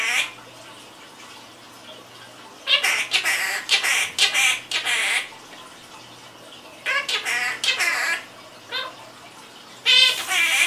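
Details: Chattering pet quaker parrot indoors: several runs of rough, squawky, chopped syllables with speech-like rhythm, broken by quiet gaps, against a faint low hum.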